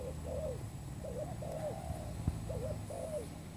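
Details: Spotted dove calls used as a trapping lure: paired husky coos, each pair falling at the end, repeated in quick succession against a constant low background hum.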